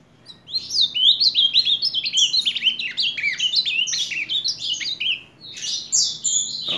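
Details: Ultramarine grosbeak recorded in July 2023 singing a fast, rich warbled phrase of sliding whistled notes, continuous for about six seconds, with a man speaking softly afterward.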